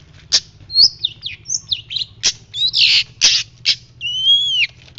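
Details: A white-breasted shrike ('pentet laut') in vigorous song for bird-keeper tutoring. Scattered sharp chirps and quick slurred notes lead to a long, clean whistle that falls away at the end, with a faint low hum behind.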